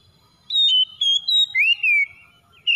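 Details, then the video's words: Oriental magpie-robin (kacer) used to lure a reluctant bird into singing: clear whistled notes sliding between mid and high pitch, a short steady tone followed by a long rising-then-falling whistle, ending with a sharp high note. "SEKALI PANCING KACER SUSAH BUNYI LANGSUNG ON IKUT GACOR"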